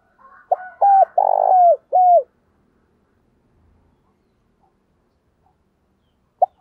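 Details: Decoy spotted dove calling to stir up rival birds, giving a short phrase of loud, deep coos, a brief note then a long buzzy coo and a final clipped one, followed by near silence and one faint note.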